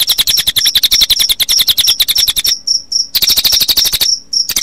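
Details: Cililin song combined with cricket chirping as a playback track for kept birds, played late afternoon into dusk; fast buzzy pulsed stream with piercing high whistles, interrupted twice by brief pauses holding single sharp notes.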